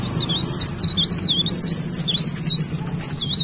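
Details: Vigorous singing from a leaf warbler: a smooth, high, undulating warble of sliding notes repeated in a steady flowing series, with a low hum underneath.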